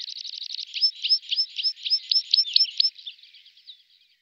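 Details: Tree pipit song: a fast trill of short notes opens, then a series of loud, sharp down-slurred whistles repeated about four times a second, fading into softer notes at the end; clean background with no other sounds.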